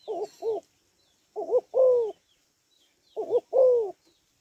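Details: Female spotted dove calling to excite males. Soft paired wavering hoots lead into long falling coos in two clear phrases, and faint high twittering is heard in the background.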